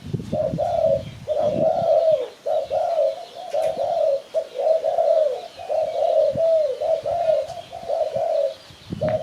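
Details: Lure call of a spotted dove used for bird catching: a steady series of soft, hollow coos in linked pairs, almost continuous, with a brief low rustling near the start.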